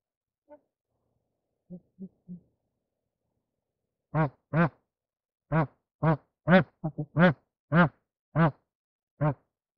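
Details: Bar-headed goose in mating context: a few faint distant notes, then a burst of about a dozen loud nasal honks, some doubled, spaced roughly half a second apart.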